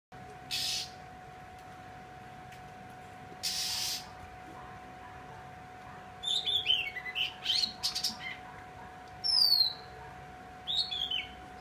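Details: A wagtail kept as a cage bird gives bright, high chirps and short twittering phrases in irregular bursts, with a steady low electrical hum and two brief hissing bursts early on.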